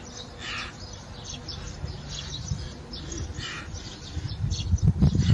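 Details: European rollers competing for a nest site at a thatched inn roof in the Kiskunság, Hungary, during days of territorial fighting: harsh, rasping bursts stand out around half a second and three and a half seconds, over chirping from other birds and low rumbling noise.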